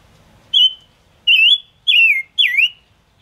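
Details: Gouldian finch, called five-coloured bird, singing a trapping-lure song: four ringing whistles about half a second apart, the first steady, the later ones sliding downward with a slight wobble.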